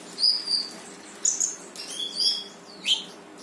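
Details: Brown-throated sunbird song meant to trigger a silent bird to answer: thin, high whistled notes and sharp chirps, some sliding downward, delivered in quick uneven phrases over faint background noise.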